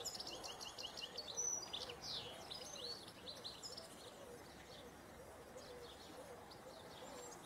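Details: European goldfinch mating in the wild: a run of high, liquid twitters and chirps, loudest early on, then fading to softer scattered notes over a faint low background.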